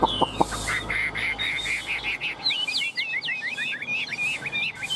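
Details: Chinese hwamei held in the hand in Vietnam, singing fully and confidently despite teasing: after a few knocks, a rapid run of repeated chirping two-note whistles accelerating into sharp up-and-down phrases.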